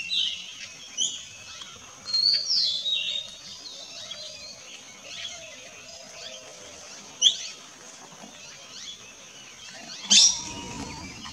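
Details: Rufous-chinned laughingthrush at Sattal, Uttarakhand, in the Himalayas, May 2024, giving sharp, high squeaky chirps in short scattered bursts, with a steady thin insect hiss underneath.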